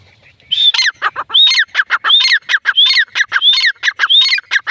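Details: Female grey francolin (teetar) calling: loud, ringing phrases repeated about every 0.7 seconds, each opening with a high whistled upsweep and followed by harsh, clipped notes, around six phrases in quick succession.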